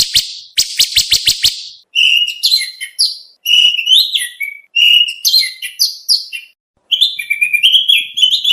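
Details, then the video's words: Oriental magpie-robin contest training song: a rapid harsh buzzy rattle of about eight notes, then varied whistled phrases with rising and falling slurs, separated by short pauses. "Suara masteran Kacer lengkap materi mewah buat lomba"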